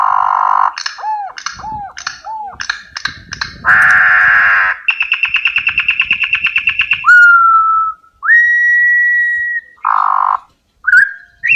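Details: Campo troupial song: a series of short whistled notes with falling tails, then a harsh buzzy blast and a rapid pulsed rattle, followed by long clear whistles held steady and rising. Quiet low background noise.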